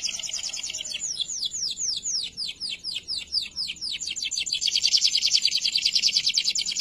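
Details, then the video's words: Canary song for tutoring other canaries: a series of sweeping downward whistled notes slowing in pace, then a dense, buzzy, rapid high trill for the last couple of seconds. "KENARI GACOR DOR UNTUK MASTERAN KERNARI"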